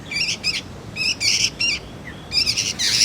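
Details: Juvenile sooty-headed bulbul chatter for luring and tutoring magpie-robins: paired scratchy chirps separated by short quiet gaps, a small upward flick mid-way, closing with a louder rasping burst.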